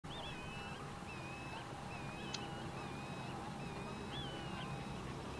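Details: Common reed bunting (Emberiza schoeniclus) singing in reeds in the mating season: short, thin, high whistled phrases repeated about once a second, with a steady low rumble of wind or distant noise throughout.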